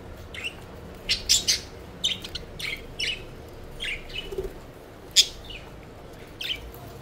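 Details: Playful pet budgerigars flying and fluttering, with a busy run of sharp, buzzy chirps and squeaks, sometimes doubled, scattered across seven seconds; one louder chirp stands out late on, over a soft hum.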